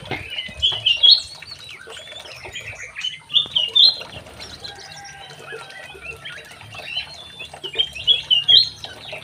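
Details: White-rumped shama, a young male kept in an aviary, delivering short bursts of sharp, squeaky chattering phrases, several loud clusters repeated every few seconds with softer twittering between them.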